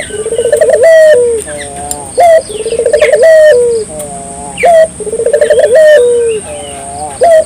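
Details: Lively Barbary dove song, played to spur local doves into singing: roughly three phrases, each a fast throbbing coo that climbs slightly into a drawn-out descending note, with a short sharp note between phrases. A constant high whine sits behind it.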